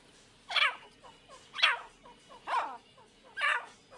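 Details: Irani teetar (partridge) pair: harsh, rasping calls repeated about once a second, four notes, with a steady low background hum.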